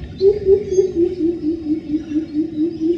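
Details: Greater coucal (Centropus sinensis) in Pattaya, Thailand, at its favourite roost in a jackfruit tree, giving a deep, hollow run of hooting notes, about two to three per second, low and booming with slight rises and falls.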